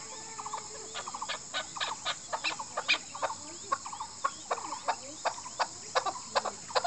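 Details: Chukar partridge calling toward a female, heard by hunters: quieter, more distant clucking runs, some notes stuttering in short rattles, over a steady high hiss with scattered calls from other birds.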